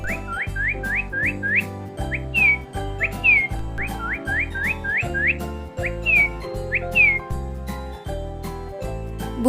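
Northern Cardinal song: a run of quick, clear slurred whistles, some rising and some falling, repeated in bright phrases over steady background music.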